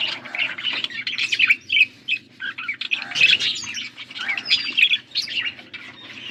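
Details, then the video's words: Blue budgies feeding one another, giving quick bursts of chirps and scratchy notes, separated by short pauses. "Beautiful blue budgies 💙 feeding to each other birds chirping sounds"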